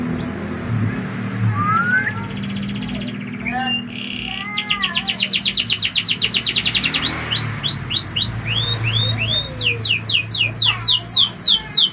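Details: Canary song in Indonesia: varied phrases with a steady trill of rapid high notes, then a run of downward-sweeping whistles and a fast series of descending buzzy notes; low hum in the background.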